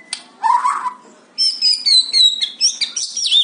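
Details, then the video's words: White-rumped shama of the fighter type, singing in fighting style: a low warbled phrase, a pause, then high whistled notes and sharp chirps in quick bursts. "Murai batu super tipe FIGHTER"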